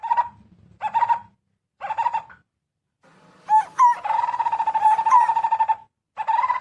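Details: Barbet gathering its flock to ripe fruit: short, hollow, nasal bursts, a few sharp upward notes, then a sustained buzzy trill on a steady pitch.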